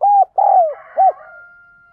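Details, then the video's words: Decoy spotted dove calling to attract wild doves: three low hollow coos, the middle one long and falling, overlapped by a fainter higher call and a thin steady tone. "Chim Cu Gáy Thúc, Chiêu Bổi Nhanh Về Cội - Chim Cu Mồi"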